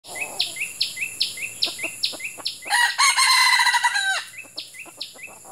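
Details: Wild red junglefowl lured by an F1 hen decoy in Malaysia during Ramadan, the males' mating season, hot weather, early morning trapping: a run of quick falling chirps, then a harsh, loud broadband burst of about a second, with steady ticking behind.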